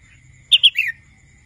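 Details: Single short phrase from a young wild red-whiskered bulbul learning to sing: two sharp chirps followed by a downward-slurred note, over a thin constant whine.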